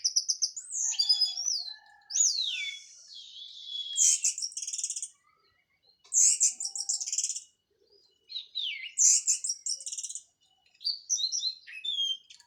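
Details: Local Cililin orange-headed thrush, past its moult, singing clear teler-style phrases: descending whistled slurs mixed with harsh, buzzy high chattering bursts, each phrase separated by short silences.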